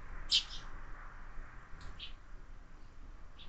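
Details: Sparrows at a window feeder with growing numbers of fledglings: one loud sharp chirp opens, followed by a few softer, spaced chirps in a quiet room.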